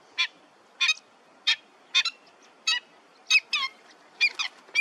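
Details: Pied avocet (Recurvirostra avosetta) giving clear, fluty 'kluit' notes, about one every half second to second, some doubled, high and ringing.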